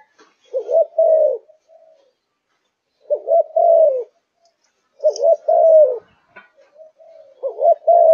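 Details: Kept Malaysian spotted dove, fired up and singing from morning to night, gives three spaced phrases of soft, low cooing, each a quick doubled note leading into a drawn-out descending hoot, with silent gaps of roughly two seconds between phrases.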